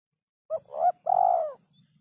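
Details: Spotted dove, a phrase of its rare song rhythm: a short note, a swelling mid coo and a long, rough, slowly falling final coo, over a soft low hum.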